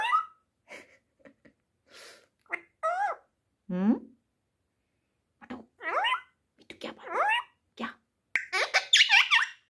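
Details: Male cockatiel, trying to impress a ringneck parrot, whistles in bright, looping phrases that swoop up and down, mixed with chattering parrot notes.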